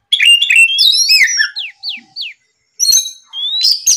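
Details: Oriental magpie-robin singing in the morning to provoke rivals, a lure recording: bright whistled notes sliding up and down, then a run of short falling slurs, a pause, and more rising whistles.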